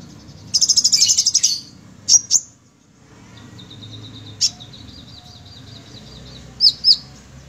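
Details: Sunbird in active song: a short burst of rapid high buzzy notes, then scattered sharp high chips and a faint thin trill against a low background hiss.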